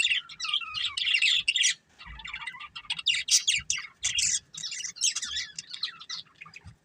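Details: Breeding pair of budgerigars giving bursts of busy, squeaky chatter, with a short silent break near two seconds and another near the end.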